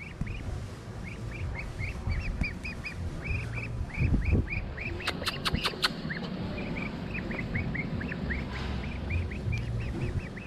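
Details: A female Muscovy duck, recovered from injury and returned to a marina, reunites with her mother; they trade soft, high chirping contact notes, several a second, while a man talks over a steady low rumble and a few clicks.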